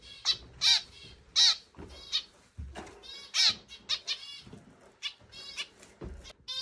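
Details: A male zebra finch, excited at meeting its mate for the first time, gives loud, nasal, buzzy beeps like a toy horn, in irregular bursts about once a second, with softer chattering notes between.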